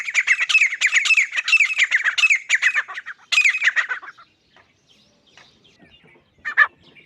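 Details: Grey francolin giving a fast, loud series of raucous, squeaky repeated notes for about four seconds, then near silence with one last short call.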